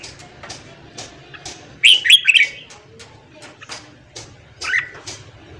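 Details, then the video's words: Morning song of a red-whiskered bulbul, used to fire up a newly caught bird: one rapid, loud burst of tumbling whistled notes near the middle, a later single short call, and soft ticking sounds throughout. "luyện giọng chào mào hót sáng kích lửa cho chào mào bổi"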